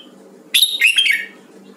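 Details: A Huế red-whiskered bulbul in voice training delivers one crisp, ringing phrase: a sharp high opening note followed by quick, fluty whistles sliding downward, all within about three quarters of a second.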